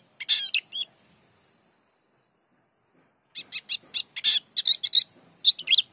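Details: Pleci dakun white-eye in gacor song, bongkar isian style: a burst of high chattering notes, a silent gap of about two and a half seconds, then a livelier run of sharp twitters.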